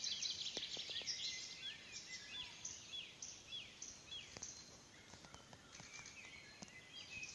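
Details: Icterine warbler singing at Pälkäne Salmentaka on 12 June 2017: a quick, rather faint run of varied chattering and short whistled notes, tumbling on without a steady pattern over a soft background hiss.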